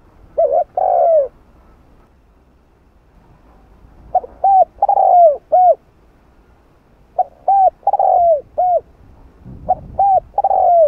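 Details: Repeated cooing phrases of a spotted dove (cu gáy) in the hạp bổi voice, meant to stimulate other doves; four phrases of short clipped notes and a longer falling coo, spaced about three seconds apart.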